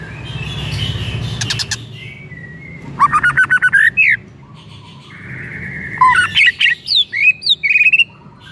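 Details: White-rumped shama singing, used as a lure so another shama starts singing: a fast rising trill of repeated notes, a long steady whistle, then varied bright whistles and upslurred notes. Low hum at the start.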